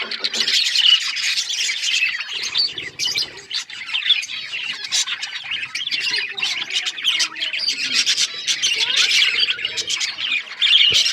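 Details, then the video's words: Many budgies chirping together in a dense, continuous chorus of high warbles, squeaks and chatter, with short sharp notes overlapping throughout and a sudden click near the end. "Budgies chirping sounds"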